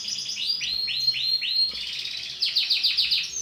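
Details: Green female canary: a run of downward-sweeping notes about five per second, then a buzzy rolling trill and a burst of quick, sharp repeated notes.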